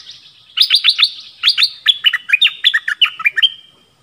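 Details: Songbird; song; singing duel with wild birds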